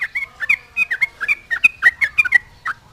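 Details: Yellow-vented bulbul singing energetically to taunt rivals and draw other bulbuls to answer: rapid bubbly, gurgling whistled notes, each short phrase rising then dropping, tumbling in a quick uneven chatter for three seconds.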